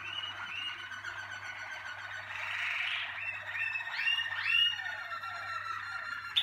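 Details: Malinois Waterslager canary from a 2019 breeding team, singing indoors: sliding whistled notes, some dropping and some swooping upward, run into warbling rolled phrases, over a steady low electrical hum.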